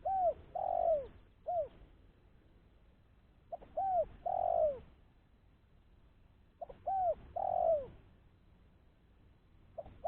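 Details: Calls of a spotted dove used to lure others: three repeated phrases roughly every three seconds, each of paired arched coos and a short trailing coo.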